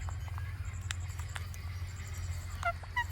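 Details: Natural clicks from an Indian ringneck parakeet, a few crisp taps spaced irregularly, ending with two quick chirped notes, with a constant deep droning hum underneath.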